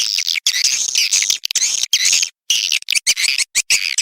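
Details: Swiftlet lure call from Sulawesi, used to draw swiftlets into a simple swiftlet house: dense, high, twittering chirps in long runs broken by short gaps.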